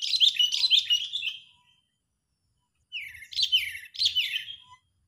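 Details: Lure call of an agitated sooty-headed bulbul for trapping birds: a quick series of sharp, descending slurred notes, a two-second silence, then three more downslurred chattering phrases.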